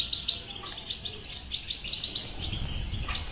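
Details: Goldfinch song for stimulating a silent caged European goldfinch: fast, jingling twitter with sharp high notes, some rumbling background noise toward the end.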